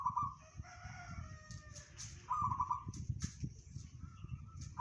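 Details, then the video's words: Local perkutut, the zebra dove, delivering its bedah karang style song said to reach 500 metres: trilled warbling coo bursts at the start, middle and end, with faint whistles and low background noise. "perkutut lokal suara bedah karang tembus 500meter"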